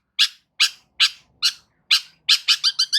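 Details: Loud long-tailed shrike calling, meant to provoke silent shrikes into responding: harsh, raspy notes repeated about every half second, then quickening into a rapid run of shorter scratchy notes at the end.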